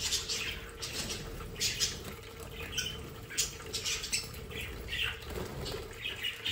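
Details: Young captive-bred budgerigars in a playful, active breeding group in the The Hague region, Netherlands, chatter with quick, scratchy chirps and short warbles in bursts, with some wing flutters.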